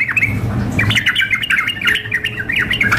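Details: Sooty-headed bulbul sounds arranged as a contest simulation, a female summoning a male alongside an agitated singer: quick, squawky, wavering chirps tumbling in a fast, unbroken run over faint background rumble.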